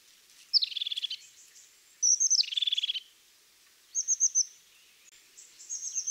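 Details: Crested tit (Lophophanes cristatus) song: two high, thin opening notes dropping into a fast purring trill, given twice, then softer high twittering notes.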